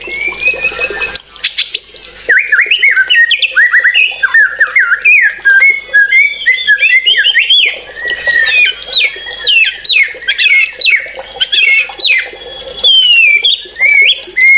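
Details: White-rumped shama in full song: a fast, loud, continuous stream of varied whistles, sharp chips and rising and falling notes, delivered in bursts of about a second with brief pauses between them.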